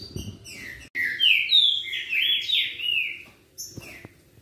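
Green-winged Saltator singing a loud, rich run of slurred whistles and sweeping rising and falling phrases, with faint background chatter.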